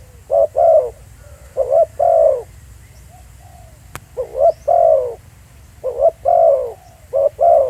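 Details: Spotted dove at Pha Sing, recorded live outdoors, uttering low paired coos in two clusters separated by a pause. A single sharp click is heard midway.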